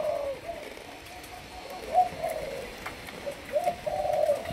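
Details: Malaysian-strain spotted dove, a young bird in decoy training. Quiet, low, drawn-out cooing is heard, with a couple of sharper accented notes, over steady hiss.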